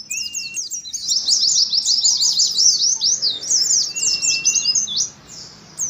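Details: Oriental white-eye singing in competitive ngalas style: a short level whistle, then a long, loud, fast twitter of high zigzag notes with another steady whistle underneath, fading at the end.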